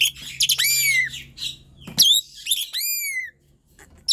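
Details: Persistent gacor singing of an Asian pied starling, played to coax lazy birds into song: a scratchy chatter, then clear arching whistles that fall in pitch, ending in silence.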